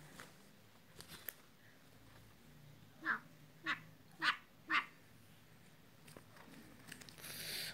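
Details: Male black francolin calling his mate: four harsh, grating bursts in quick succession, each a short rasping note, with quiet background and faint clicks before and a hiss at the end.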